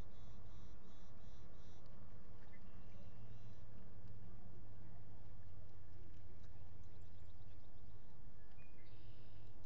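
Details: Osprey pair sitting at their Salt Point lakeside nest, 19 April 2021 near 5 pm, during courtship; a quick series of four clipped whistled chirps opens, then scattered softer notes and a final chirp burst, over a steady low hum.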